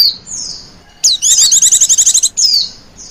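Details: White-eye lure sound for wild birds: soft high whistles, then a loud burst of rapid, evenly pulsed chattering trill lasting about a second, followed by more thin falling whistles.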